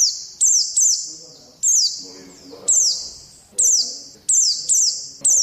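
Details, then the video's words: Oriental white-eye chirping in training audio for pet birds. High descending notes come singly and in pairs at an irregular pace over faint low murmuring voices in the background. "Pleci malas jadi ngalas || TERAPI PLECI"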